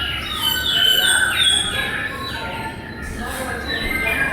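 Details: Several New Zealand bellbirds (males, females and juveniles) singing together around a food source in midwinter to communicate with each other: a dense overlapping chorus of clear, bell-like whistles and short sliding notes over faint room hum.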